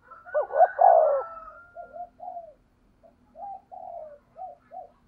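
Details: Decoy spotted dove, 'thổ' voice type, in 'thúc gù' cooing: a wavering double note sliding into a long coo, followed by a string of quieter short hoots.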